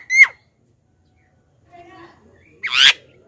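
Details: Lure call of a black-winged myna for attracting wild birds: a sharp falling whistle, a short gap with faint lower sounds, then a loud harsh screech.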